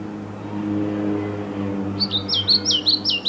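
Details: Pied flycatcher song recorded in Vantaa, Finland, on 6 May 2012: after a low steady hum, a rapid series of high, swinging two-part notes begins, repeated quickly like a bright tumbling phrase.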